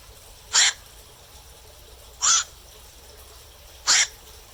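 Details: Black-crowned night heron at night giving three loud, coarse kwak calls, evenly spaced about every 1.7 seconds, against faint steady hiss.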